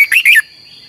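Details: Red-whiskered bulbul singing a double, long twisting training song used as a lure. One brief, loud phrase of quick warbled notes rising and falling, stopping abruptly, with a thin steady whine after.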